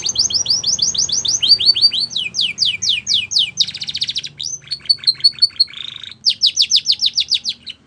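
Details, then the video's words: Singing Belgian canary pours out long rapid series of high downslurred notes, shifting into chopped trills and a buzzy roll, then resuming fast repeated notes; loud and continuous. "Belgian Canary Song"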